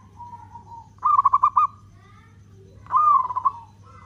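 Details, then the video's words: Local zebra dove cooing at length, played to provoke other doves: a faint soft tone, then two rolling phrases of quick pulsed coos ending in steady notes, separated by a quiet pause, with background hum. "Perkutut lokal gacor suara ketukan panjang, cocok untuk pancingan"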